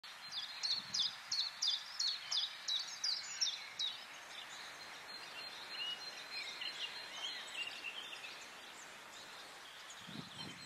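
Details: White Wagtail (Motacilla alba alba) at Quiberon, France, May 2017: a run of about nine sharp, high chipping notes, two or so per second, then softer, quieter twittering over a steady outdoor hiss.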